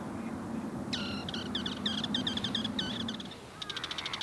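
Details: Bull-headed shrike, likely one of a mated pair in South Korea where the male followed the female, gives a harsh, grating chatter of quick nasal notes ending in a fast rattling burst, over a steady low hum.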